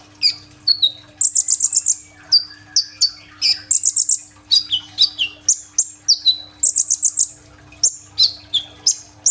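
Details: Kolibri ninja sunbird in full song, recorded on an Oppo A37f phone, with rolling burst fill-ins; high, thin chirps and sharp downslurred whistles come in quick bursts, with a steady low hum underneath.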